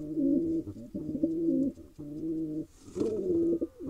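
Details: Wild male pigeon in Israel repeatedly attacking a female, giving low rolling coos in drawn-out phrases under a second long, several in a row separated by short pauses.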